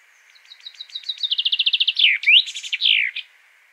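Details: Common chaffinch delivers one crisp song phrase, opening with soft chips that accelerate into a rapid trill and close with a downward-slurred flourish, heard clearly with little background noise.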